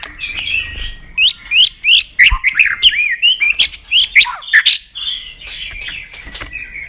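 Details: Varied song of a white-rumped shama played to make birds sing many phrases: rapid clear whistled notes and sharp chips in quick bursts over faint low background rumble.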